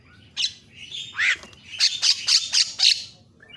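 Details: Javan myna (jalak kebo) recording used as a master for training other mynas, giving harsh, squawking notes and a rising whistle, then five rapid raspy bursts about a quarter second apart.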